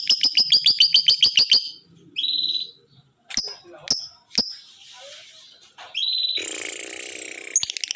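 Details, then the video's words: A tame but aggressive lovebird doing 'ngekek' chatter opens with a rapid string of high clipped chirps, then breaks into scattered whistles, clicks and a hissy buzz, ending in a dense bright trilling burst. "Love Bird jinak tapi galak, ngekek konslet"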